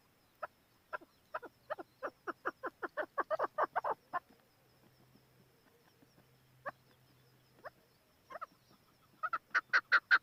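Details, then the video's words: Chukar partridge giving a quiet series of short, clipped notes that speed up into a rapid run, pause, then resume in a louder burst at the end; faint low hum in the background. "Chakor Partridge Voice"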